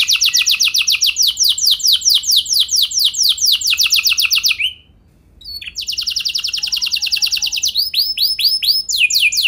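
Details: Canary song as a lure for other canaries to sing long rolls: a long rapid trill for about four seconds, a short pause, another fast trill, then arched whistled swoops.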